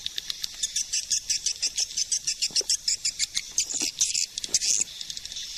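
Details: Calling sound of a swiftlet, 2020 suara panggil: rapid, evenly spaced buzzy pulses repeat about four times a second, then merge into a rougher, denser chatter near the end.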